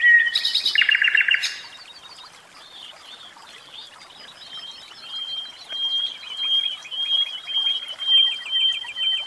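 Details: Caged common nightingale singing: a loud, harsh burst of rattling, buzzy notes opens, then a softer pause, followed by a long thin high steady note overlaid with rapid ticking repeated notes that swell and fade.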